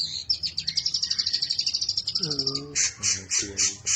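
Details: Prize-winning long-tailed shrike with varied mimicked song, played to stir silent shrikes into singing: a fast, even trill of high notes, then lower harmonic nasal notes alternating with loud hissy bursts.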